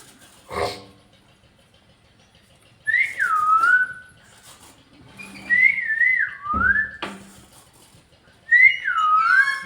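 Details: Pet parrot saying bye, three whistled, wavering phrases that rise and then glide downward, spaced a few seconds apart, with a sharp tap and faint low hum between them indoors.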